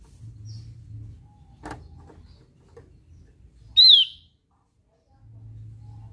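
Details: Opior Jawa, the Javan grey-throated white-eye, gives one strident, falling note standing out sharply from a quiet room with low hum and a soft tap earlier.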